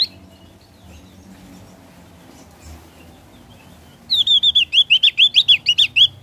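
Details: Ngeplong song of a Javan grey-throated white-eye: a quiet spell, then a bright, rapid phrase of around fifteen high, rolling whistled notes, wavering up and down at an even pace.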